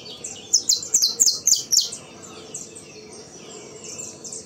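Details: Saffron finch of the CT sistemático song style, bred in captivity, delivering about seven loud, bright, high notes in quick succession before quieter twittering from other birds takes over.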